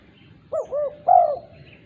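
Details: One call phrase of a female spotted dove summoning other doves, with two rounded short coos leading into a long, strong coo; faint higher bird sounds in the background.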